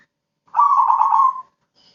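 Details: Zebra dove of crossbred stock, described as a keen singer by day and night: a single rolling coo of quick, throbbing notes lasting under a second, ending abruptly, followed by a faint high tone.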